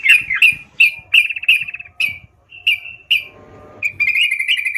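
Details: Sooty-headed bulbul singing actively: quick, chattering whistled notes in short groups, a brief pause, then a sustained rolling trill.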